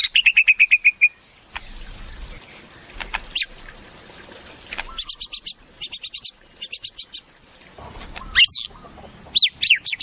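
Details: White-rumped shama song in varied phrases: a quick run of repeated clipped notes, scattered sharp chips, then bursts of rapid high trilled notes and loud swooping whistled notes that rise and fall, separated by short pauses.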